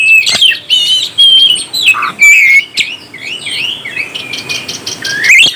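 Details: Oriental magpie-robin singing to stir up other birds, with clear sweet whistles, quick upslurred notes and twittering runs, loud early and softer mid-clip before a rising whistle at the end.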